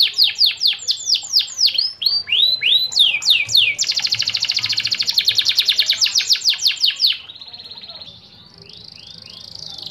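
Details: Canary (Serinus canaria) training song: repeated descending sweeps, a dense fast buzzy roll for several seconds, then a softer high trill and faint distant slurred notes.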